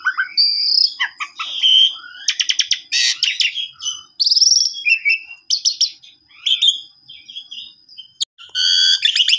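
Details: Asian pied starling in full song with its full repertoire, a rapid, varied jumble of high whistles, buzzy rattles, chattering bursts and squeaky notes; used as a lure to prompt sulking starlings that will not sing. No other sounds.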